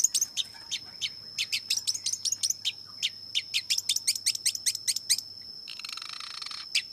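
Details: Long-tailed shrike delivering a rapid series of sharp, clipped chirps, several per second, speeding into dense runs before a brief burst of hissing noise and one final chirp, with a constant high-pitched tone behind.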